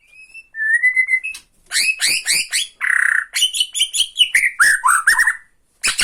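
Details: Bornean white-rumped shama provoking another shama with tretekan rattle song: a plain whistle, then a string of loud chopped chattering notes about four per second, a buzzy rasp, and slurred whistles.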